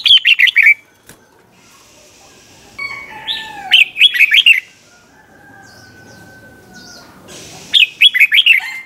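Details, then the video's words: Red-whiskered bulbul singing the doubled 'bern' style song named '100 Achip', played to teach young birds: three bright, rapid warbled phrases of five or six notes, separated by pauses, with a long steady whistle from another bird between them. "เสียงนกกรงหัวจุกเบิ้ล เพลง100อาชีพ สำนวนเพราะมากๆ สำหรับสอนนก-ปั้นนก"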